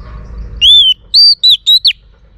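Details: Oriental magpie-robin female song meant to stir males into singing: one drawn-out arched whistle followed by four short, clear whistled slurs in quick succession, high and pure, over faint low background noise.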